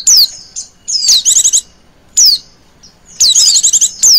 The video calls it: pancingan pleci betina ngecirrr